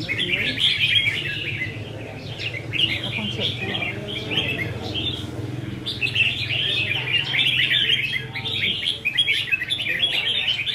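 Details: Red-whiskered bulbuls, caged birds in a cage-hanging singing contest practice session on 15 May 2021, pour out dense, overlapping bright chirping phrases in quick bursts, with a steady low hum beneath.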